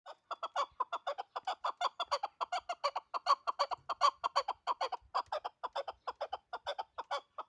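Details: Hunting chukar partridge giving a steady run of rapid, low clucking chuck notes, roughly eighty a minute, each short and throaty, with no other sounds.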